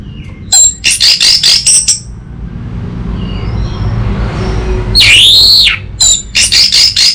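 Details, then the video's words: Orange-headed thrush singing as a lure and master song: clusters of rapid high chattering notes, a loud sweeping arched whistle midway, then another run of fast notes, over low background rumble. "Pancingan dan Masteran Burung ANIS MERAH"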